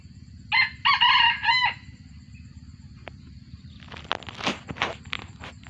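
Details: Hoarse, abrupt crowing from a captive F1 junglefowl of wild ancestry: a quick first note, then a grating phrase in two segments, later followed by clattering and rustling noises over low hum.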